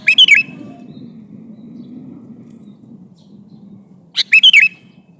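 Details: Male sooty-headed bulbul calling a female, repeating a short chirpy phrase of quick, warbled whistles twice, about four seconds apart, above a soft low hum.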